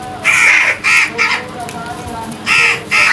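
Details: Rapid loud crow caws in early morning: a burst of three harsh rasping calls, a pause, then two more, over low steady hum.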